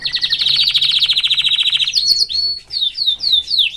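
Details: Loud canary song: a fast pulsing trill repeated for nearly two seconds, followed by high, chirpy, swooping whistles. The bird is a male living with his family.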